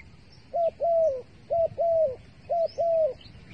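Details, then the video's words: Dove used as trap bait, uttering three evenly spaced double coos, each a brief note and a longer falling one, over quiet background with faint distant chirps. "The five videos of the dove bait are really good to wa"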